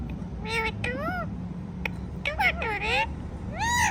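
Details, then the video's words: Talking Indian ringneck parrot, said to repeat "Mithu"; a few quick harmonic, speech-like syllables with swooping pitch contours, grouped in short bursts, with constant low-frequency room hum beneath. "Ringneck Parrot Talking Mithu Mithu"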